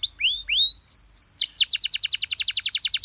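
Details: Canary tutor phrase for young birds, pleasant and easy to imitate: a few slurred rising and falling whistles, then a fast, regular trill of bright notes about eight per second.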